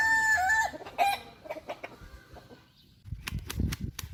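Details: Kukuak Balenggek rooster from a hobby flock ends a crow in the first second, followed by soft scattered clucks and rustling, then clattering knocks near the end.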